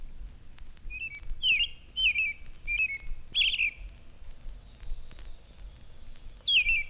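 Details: American Robin singing a loud, clear song rendered as cheer up, cheerily, in short whistled, warbling phrases of rising and falling notes, about six phrases with brief pauses between them, and a phoebe singing in the background.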